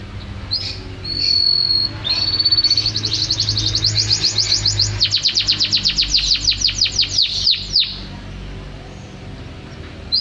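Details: Canary singing for training caged birds: short whistles build into a long, rapid, high rolling trill that runs for several seconds before stopping, with a low hum in the background.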